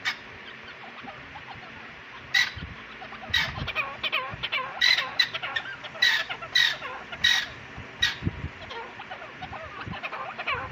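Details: Breeding teetar francolins give harsh, squawking, fowl-like calls in irregular bursts, with several birds overlapping amid busy background chatter and clucking.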